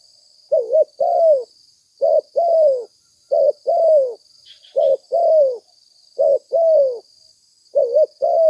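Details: Spotted dove call used as a lure for catching doves. About six paired coos, a clipped note then a drawn-out descending croo, repeat at an even pace, with a constant high-pitched hum and a faint brief chirp midway.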